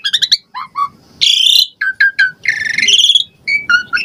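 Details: Asian pied starling in varied song used as a prompt for caged birds: quick descending chirps, then harsh grating rattled bursts alternating with short whistled notes.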